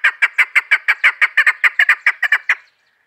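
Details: Female chukar partridge in a hunter's call recording gives a brisk burst of about sixteen raspy clucks, evenly spaced and fast, ending suddenly at two and a half seconds, then quiet.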